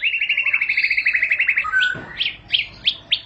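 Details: White-rumped shama (murai batu) song, said to make shamas start singing at once (ngentrok): a fast, even rattle-trill of repeated notes, then a low whistle and five sharp, rising-and-falling whistled notes spaced about half a second apart.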